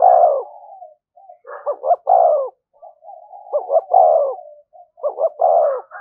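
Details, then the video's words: Spotted dove thúc gù cooing, used as an effective lure for decoy birds. Repeated mellow phrases of quick double notes and longer sloping coos, linked by soft low murmuring between them. "tiếng cu gáy/ cu gáy thúc gù bài bản dùng kích bổi hiệu quả"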